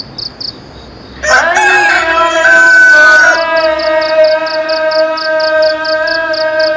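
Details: Dawn rooster crow bursting in after rhythmic cricket pulses, a rough two-second cry with a long sustained ending, followed by the melodic call to prayer and crickets chirping again.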